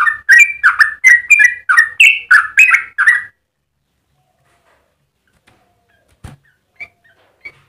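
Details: Yellow-vented bulbul in full song, used as a master recording for training other birds and as a lure for other bulbuls: a rapid run of bubbly, warbled notes for three seconds, then near silence with a faint click and soft chirps.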